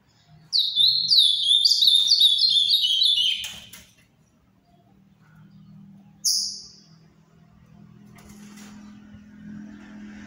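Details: Captive-bred Ultramarine grosbeak delivering a Paraná-style song: three seconds of rapid, slurred whistled notes stepping downward, a lone high note later, over a faint low hum.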